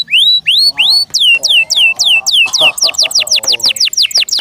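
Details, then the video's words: Kept canary in full song, loud descending whistled sweeps repeated rapidly, about four per second, with a faint low murmur beneath in the middle part. "PLEASE LISTEN AND ASSESS FOR YOURSELF THE BEST CANARI BIRD"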